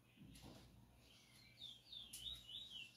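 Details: Chestnut-bellied seed finch singing close by: a brief thump and rustle, then a flowing series of high whistled, swooping notes in the second half.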